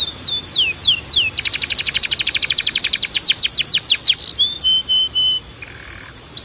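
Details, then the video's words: Canary song to encourage singing: falling whistled sweeps, then a long fast metallic trill slowing into separate downward strokes, followed by short flat whistles and soft notes. "A Canção de Treino Mais Poderosa da Canary"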